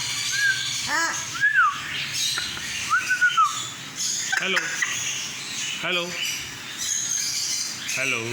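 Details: Albino cockatiel kept in a shop near Kolathur, said to speak Tamil; repeated short spoken-sounding phrases like "hello" with bright harmonic whistles and rising and falling notes, amid steady background noise.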